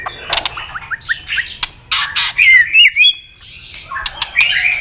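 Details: White-rumped shama in competitive fighting song meant to provoke a rival: rapid series of short upward-slurred notes, then loud whistled swoops and harsh bursts, varied and fast-paced.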